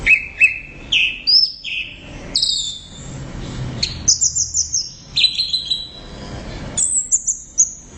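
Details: Orange-headed thrush in full loud song: a varied string of clear whistled phrases. Rising and falling slurs open it, then high trilled rattles and sweeping descending whistles follow one another almost without pause.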